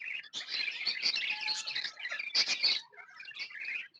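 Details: Happy tame pet budgerigars chattering together: a dense, fast stream of high, scratchy chirps and warbles, overlapping in bursts with a brief pause near the end.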